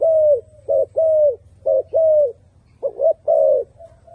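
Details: Short run of turtle dove coos, drawn-out, slightly falling mid-pitched notes alternating with shorter ones, a faint low hum behind.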